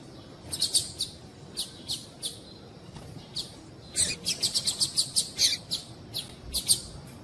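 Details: Female rusty-collared seedeater calls, used to stimulate males to sing: bursts of high, sharp chirps, scattered singly at first, then a rapid run of closely spaced notes in the second half.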